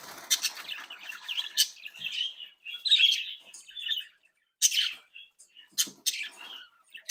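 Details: Captive-bred budgerigars, a playful active flock, tweeting and singing: high chirps and scratchy warbled notes run on for several seconds, a short pause, then sharp clicks and squawks resume.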